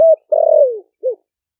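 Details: Ninh Thuận spotted dove, wild-caught and four months caged, in 'thổ sấm' voice luring wild doves: the tail of one coo, a long drawn-out coo sliding downward, and a short final coo, then silence.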